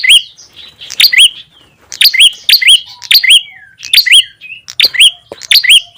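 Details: Ashy tailorbird lure call for attracting wild birds: loud, sharp chirps with a rising hooked note, given in quick bursts of two or three about eight times across the stretch, each topped by thin high ticks.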